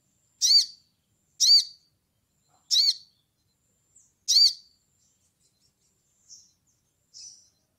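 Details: Sogon calling to a rival: four loud, sharp, ringing high notes repeated roughly every one to one and a half seconds, then two fainter softer notes, in otherwise silent surroundings.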